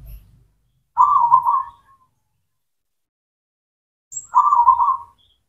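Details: Zebra dove song, local and cemani types, used as a lure for doves that have lost their voice or confidence: two rolling, burbled cooing phrases about three seconds apart, with soft low thumps at times.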